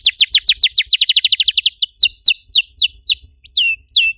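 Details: Canary song used as a lure to stimulate other canaries to sing: rapid trill of falling whistled notes, then slower downward-sweeping whistles and two rising-falling notes after a short pause.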